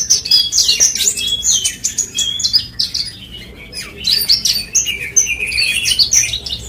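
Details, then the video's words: West Nusa Tenggara parva bush lark (branjangan) giving lively, high-pitched song: tumbling chirps, short trills and buzzy slurs in two long phrases with a brief quieter gap between. "SUARA ASLI BRANJANGAN PARVA NTB"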